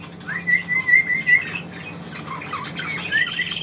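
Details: Pet bird answering its owner's command with a short run of clear, level whistled notes, a pause, then a few chirps and a quick rapid trill at the close.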